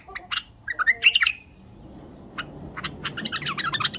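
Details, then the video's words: A bulbul gives two lively bursts of chattering, squawky notes, bubbly and rising and falling, with a brief quiet gap between them. "تغريده بلبل"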